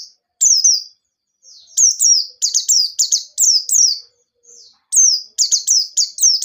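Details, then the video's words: White-eye lure song in ngalas nembak style, meant to set other birds singing. Rapid series of high, downward-slurred whistles run in dense bursts with short gaps. Background is clean. "Burung Pleci Gacor Ngalas Nembak || Pancingan Penggacor Pleci Bahan"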